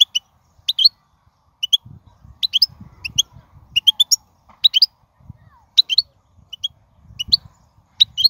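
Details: Wild European goldfinch giving short, high twittering call notes in small bursts about every second, clear against a quiet background with faint low rustles.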